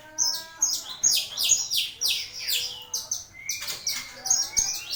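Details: Starling master song for training other songbirds: quick, jumbled high chirps, about two each second, mixed with thin sustained whistles and a long upward-gliding note near the end.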